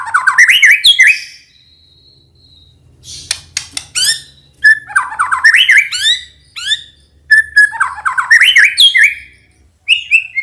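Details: White-rumped shama song used as a lure to make quiet males answer and grow agitated. Loud bursts of rapid descending whistled notes come with sharp clicks and a thin, steady high tone, separated by short pauses.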